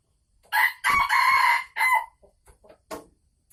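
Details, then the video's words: Caged female Sumatran red junglefowl cackling as she prepares to lay eggs: a few loud, raspy, drawn-out squawks close together, then soft short clucks. "Suara ayam hutan merah Sumatera Asli saat mau bertelur"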